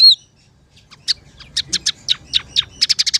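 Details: Scaly-breasted munia, a cage-bird training recording, giving a series of short high chirps and downslurred notes, sparse at first, then quickening into rapid repeated high chips toward the end; a loud whistled note opens.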